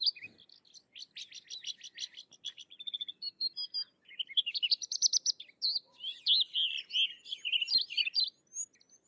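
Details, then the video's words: Sykes's lark singing: opens with a fast series of evenly spaced clicking notes, then moves into warbling slurred whistles and buzzy phrases, steady and high for about nine seconds. "Sykes's Lark or Twany Larks Singing"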